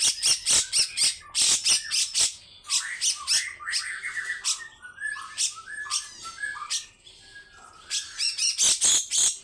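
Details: A grey-cheeked bulbul gives a long, harsh 'besetan' song: clusters of scratchy rasping bursts open and close the phrase, with a middle stretch of varied whistled notes and chattering slurs.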